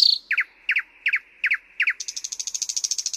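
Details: Thrush nightingale song: a high opening note, then five evenly spaced pairs of sharp downslurred notes, followed by a fast, dry, rattling trill of rapid clicks.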